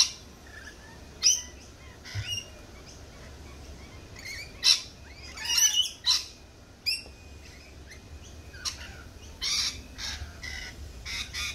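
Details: Scattered lorikeet screeches, brief harsh broadband bursts spaced irregularly with a few fainter chirps between, over low steady background noise.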